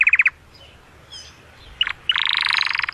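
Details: Canary singing in an excited voice to stimulate the female for mating: short bright rolling trills, a brief burst, a pause, then a long fast buzzy trill of even repeated notes.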